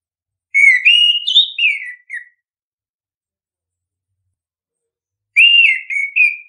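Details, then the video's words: Song of an orange-headed thrush, played to spur birds into singing: two rich warbled whistled phrases, the first about two seconds long with rising and falling slurs, a pause of three seconds, then a shorter phrase. "pancingan ampuh! punglor kembang | merangsang burung cepat gacor"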